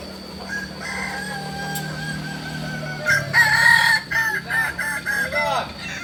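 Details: Kokok Balenggek roosters at a group crowing practice in Amko, Solok city: long, drawn-out crows with stacked harmonics overlap. A louder cluster of stepped, wavering crows comes in the second half over steady background hum.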